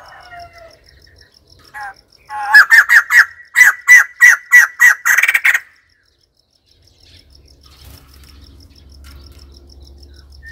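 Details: A long, loud run of about a dozen harsh, rapidly repeated notes from a white-crested laughingthrush, building into a dense cackling series before breaking off. Soft chatter comes before it and low background hum follows.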